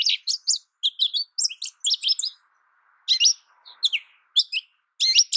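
American goldfinch singing a rapid, high twittering song of short sweet notes and trills in quick bursts, with a brief pause midway.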